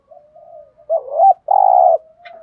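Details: Soft low murmurs lead into a spotted dove's stimulating 'gù thúc' coo: a wavering rising coo followed by a long, rough, vibrating coo, then a faint drawn-out tail.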